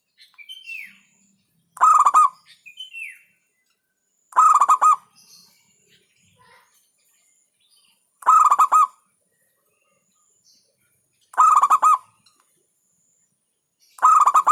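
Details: Local zebra dove (perkutut lokal) in hentakan style, said to provoke rivals: loud stuttering bursts of five or six rapid pulsed coo notes, repeated about every three seconds, with a few faint softer notes between phrases.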